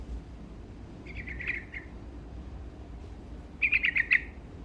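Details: Vigorously singing yellow-vented bulbul, meant to stir up rivals, gives two separate chattering phrases of rapid, burbling notes about two and a half seconds apart. The first is softer, the second louder, over faint background rumble.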